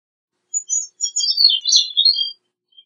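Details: A grey-cheeked thrush sings a single, tumbling, high-pitched phrase of wiry, overlapping notes lasting nearly two seconds, ending on a thin trailing whistle.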